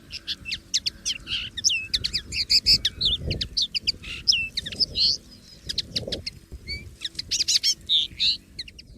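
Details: Common linnet singing freely in the wild: dense, bubbling twitter of sharp chirps, buzzy notes and twanging slurs, in two long phrases separated by a brief lull; faint low rumble in the background.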